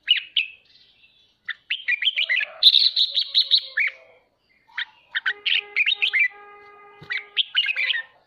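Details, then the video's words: Red-whiskered bulbul song used to stimulate and train home birds to sing: quick bright chirpy phrases in bursts, a run of rapid buzzy repeated notes, short pauses between, with faint steady lower tones underneath. "Chào mào khích ché cực hay /kích chim nhà tập ché /luyện giọng kích bổi cực hay /"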